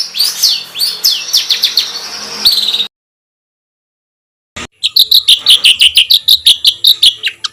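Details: Songbird master audio for competition-bird training: slurred high chattering phrases, a silence of nearly two seconds, then a fast run of sharp, loud, repeated chip notes with rough texture.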